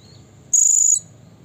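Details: Blue-crowned hanging parrot giving a provoking call aimed at rival birds: one sustained, steady, ear-piercing high squeal of about half a second, set against faint low rumble.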